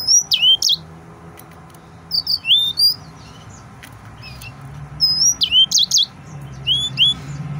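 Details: Excited male yellow-fronted canary singing repeated short phrases of high chirps and down-slurred whistles, roughly every two seconds, over a steady low hum.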